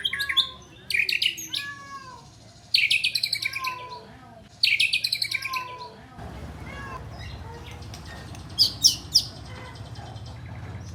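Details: White-rumped shama delivering flycatcher imitations in its song: rapid, high chattering phrases repeated in bursts with gliding lower whistles, later fading into a rushing background with a few sharp notes.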